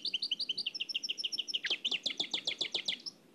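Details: From an old cassette, a nightingale in the Oued El Alleug style: a string of evenly paced paired notes, then a sharper, faster series of clipped chips fading at the end.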